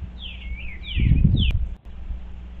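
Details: Eastern bluebirds checking out a birdhouse on 25 February 2023: three soft, warbled notes, each sliding down, over about a second and a half, with a steady low rumble and a brief thump underneath.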